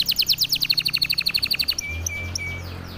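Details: Canary of the silver salju type, over birahi, singing a rapid rattling series of sharp repeated notes that cuts off partway, leaving faint thin whistles over a low hum.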